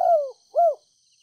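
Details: Spotted dove used as a decoy in Ninh Thuận, giving a gentle call to draw in wild doves: the tail of a falling coo, then one rounded hooting note, with a faint constant high-pitched hum behind.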